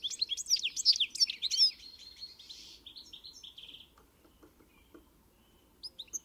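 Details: Pintassilgo song opening with a dense burst of high twittering chirps, then softer buzzy trilled notes fading away, short chirps returning at the very end.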